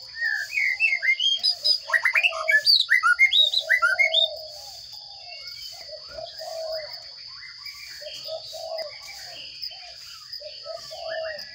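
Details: Sparrow chicks in a nest box being fed by a parent: a burst of rapid, high chirps rising and falling, about two per second for four seconds, then fading. Lower soft cooing notes and a steady high electrical whine run underneath.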